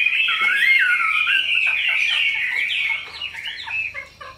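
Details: Pet Chinese hwamei, tame and large, noted for a very good voice, opens with rich, swooping whistles, then breaks into shorter, choppy notes and clipped chirps that fade toward the end.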